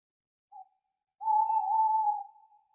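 An owl gives a brief soft note, then a long, steady, mellow hoot held at one low pitch for about a second and a half. The night is otherwise quiet.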